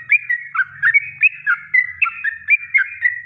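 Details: Kongslet-style natural song of a yellow-vented bulbul, kept as a training master; clear, chattering, liquid notes that dip and flick upward, roughly three or four per second, with a soft low hum underneath.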